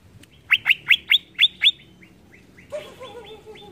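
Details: Greater green leafbird song meant to provoke other birds, six loud sharp descending whistles in quick succession, then softer fading notes and a low nasal call.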